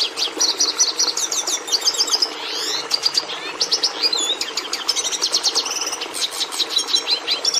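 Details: Red Siskin, or Cardenalito de Venezuela, singing its complex, not very musical song of many varied notes: fast high twitters, buzzy trills and quick down-slurred and up-slurred whistles running on without a break, with faint low background hum.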